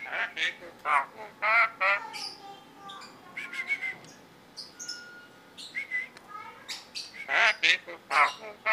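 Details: A tame, yellow-eyed Javan myna that can talk gives harsh squawks and chattering, speech-like phrases in bursts, with scattered clear whistles between them.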